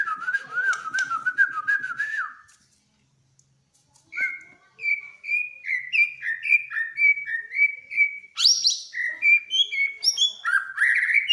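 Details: Song of a white-rumped shama, said to make other birds start singing: a fast chattering run, a pause, then a long series of clear whistled notes and slurred rising phrases, climbing to high sharp notes toward the end.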